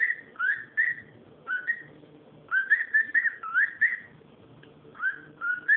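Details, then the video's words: Chattering cockatiel: a near-continuous stream of short wavering whistles and warbles at steady pitch, in quick bursts, with a low background hum. "calopsita fazendo barulho"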